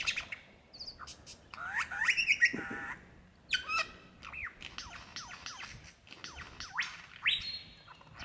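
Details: Lyrebird singing for a mate in Victoria's Dandenong Ranges, February 2016: bursts of tumbling whistles and dense chattering, then crisp clicks and long rising sweeps, in a constantly shifting sequence.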